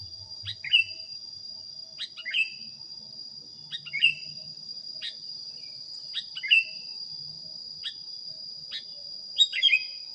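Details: Sooty-headed bulbul used as a training recording for teaching other birds, giving short bubbly whistled phrases dropping in pitch, about seven times in ten seconds, over a steady high insect-like whine and faint low rumble.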